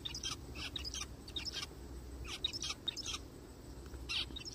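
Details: Zebra finch crying in a forest, with quick bursts of short, nasal, broadband calls grouped in twos and threes and a final stronger call; a low, steady background hum runs underneath.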